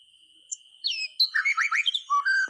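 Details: White-rumped shama singing to prompt silent birds to sing: a short burst of fast slurred whistles and warbled notes after a near-quiet start, with a steady high tone in the background.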